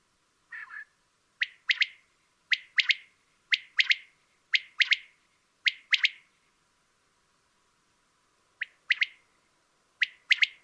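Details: Common quail singing. A soft, low nasal opening is followed by a run of crisp, liquid three-note phrases, one note then a fast pair. They repeat about once a second and pause before the last two phrases. The background is quiet.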